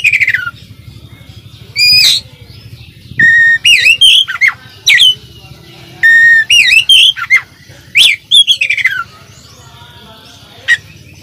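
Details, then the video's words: Oriental magpie-robin tutoring song rich in fills: repeated clusters of crisp whistled notes and upward flicks, phrases recurring every few seconds over a steady low hum. "suara masteran kacer gacor full isian calon juara"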